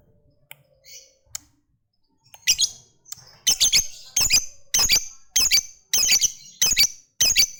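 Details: Vocal fighter lovebird calling to set off other lovebirds: a few faint notes, then a run of loud, sharp, squawky chips repeated about every half second.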